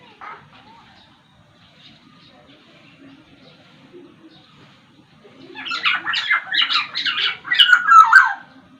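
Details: Black-naped oriole of the Sumbawa variety: a short note, several seconds of faint low murmuring, then a rapid stream of harsh chattering notes ending in clear slurred whistles.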